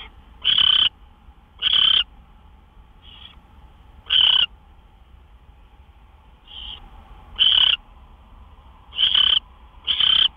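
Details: Owls at a nest just after midnight on March 26, 2013, around two gopher deliveries. Harsh, hissing screech bursts of about a third of a second come at uneven intervals, with softer, shorter calls between them over a low steady hum.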